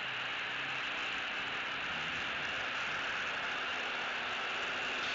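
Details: Constant hissing static like wind on a microphone, with no calls or other animal sounds.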